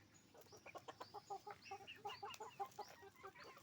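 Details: On a chicken farm, hens and roosters keep up rapid, uneven clucking, short nasal notes tumbling over each other about twice a second, with high upswept peeps above.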